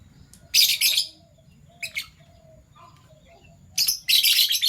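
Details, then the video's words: Pet Fischer's lovebirds, one violet and one gold opaline euwing, chattering in the morning with loud scratchy bursts of high shrill notes separated by short quiet pauses. "Lovebird Chirping Sounds - PB Violet Fischer & Euwing Gold Opaline Fischer"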